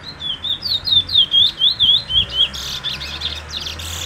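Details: Brown bullfinch giving about ten high, bouncing chirps, each rising then dropping, steadily repeated around three per second, then ending in a burst of rough, hissing noise.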